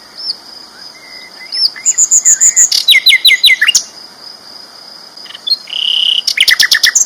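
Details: Sikatan londo flycatcher giving a loud, vigorous training song: high thin whistles, a fast ringing trill of repeated notes, a slurred phrase, then another rapid chattering burst. A steady high insect-like hum runs underneath.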